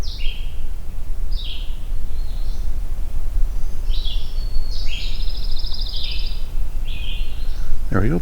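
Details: A Pine Warbler sings close behind the recordist on an overcast morning hike. It gives an even, musical trill on one pitch amid other songbirds' short slurred notes, over a low rumble, and a voice speaks at the end.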